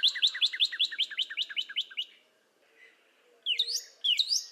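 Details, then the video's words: Northern Cardinal (Cardinalis cardinalis) singing a fast run of about a dozen sharp, downslurred chip-whistles, then a short silence before a few bright upslurred whistles. "Northern Cardinal Bird Sound"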